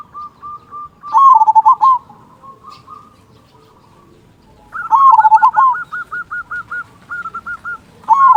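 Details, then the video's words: Local zebra dove, singing actively with a deep 'kung' voice, used as a lure to make doves call: loud rolling coo phrases each followed by quick trains of softer repeated notes, separated by a short quiet spell. "Perkutut Lokal Gacor Suara Kung Besar Pancingan Burung Perkutut Agar Bunyi"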